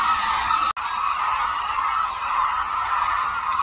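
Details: Large flock of hooded cranes at Suncheon Bay Wetland with migratory birds arriving; a dense trumpeting chorus, briefly cut to silence just before the first second, then continuing unbroken.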